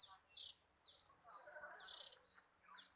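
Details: An oriental magpie-robin, said to be enjoying itself, delivers bright, scratchy high phrases with short whistled slurs and varied chirps.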